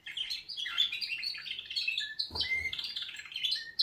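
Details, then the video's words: Wake-up song from canaries, a continuous busy warble of overlapping chirps and rolling trills at high pitch, briefly punctuated by a soft thump midway, then resuming with clear whistles. "Kanarienvögel Weckgesang |||Canaries wake-up song"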